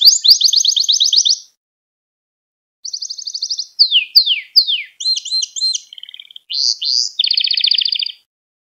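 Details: Canary training song for teaching young canaries: a high trill, a pause, then another trill followed by downslurred notes, looping double notes and a final dense buzzy roll.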